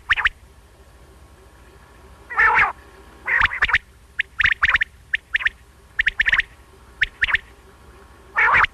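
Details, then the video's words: Common quail, possibly a single male or female, calling in morning or night, gives sharp, clipped whistled notes in quick groups of two or three, broken by a few harsher, buzzier bursts. "beautiful Batair ki awaz"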